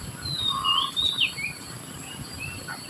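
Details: Society finch adult feeding young: a few thin whistled notes sliding up and down in the first second and a half, then quieter short chirps, over constant background hiss.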